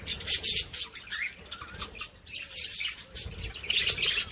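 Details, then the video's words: Scratchy budgerigar chatter played to encourage other budgies: dense, rasping bursts that swell and fade every half second or so, with light background noise. "صوت بادجي لتحفيز طيور البادجي العاشق والمعشوق"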